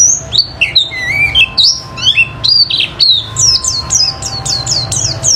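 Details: Oriental white-eye, called pleci, used as a lure to make other birds sing: varied warbled chirps at first, then a fast run of evenly repeated high downslurred notes.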